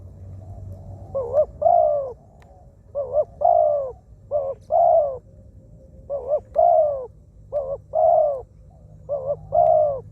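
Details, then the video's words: Decoy zebra dove, described as a wild bird with a small voice and plenty of coos, used for ground decoying: paired coos, a quick doubled note then a longer bowed one, given in spaced phrases about every one and a half seconds, with low background hum. "เสียงนกเขาใหญ่ นกเขา นกเขาชวา"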